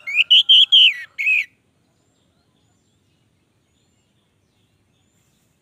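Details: Orange-headed thrush singing in lively, long-running form: a short sequence of five loud whistled notes that arch up and down, followed by silence until the end.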